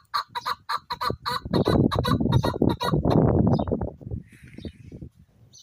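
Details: A high-spirited male chukar partridge gives quick, harsh, repeated chuk notes, roughly four a second, merging into a dense, rasping burst before fading to softer scattered notes.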